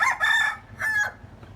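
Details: Two loud, harsh, strongly harmonic calls from a myna, a bird able to produce many sounds and learn human voices, the second call dropping in pitch at its end.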